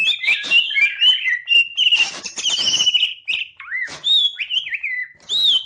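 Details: Green leafbird performing with its tail fanned, giving a rich, varied song: quick twittering phrases, a fast rattling trill midway, then clear looping whistles that swoop up and down, each separated by short pauses.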